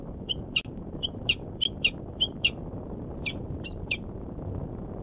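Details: Male peregrine falcon at a Manchester, New Hampshire nest site, 26 February 2018, uttering a rapid series of about a dozen bright, clipped chip notes, some doubled, set against a faint low background rumble.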